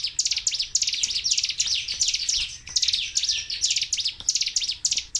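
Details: A Sunda warbler (mountain ciblek) sings a nonstop stream of very high, sharp, rapid chattering notes, several per second without a pause; the song is used to stir other cage birds into singing and to tutor them.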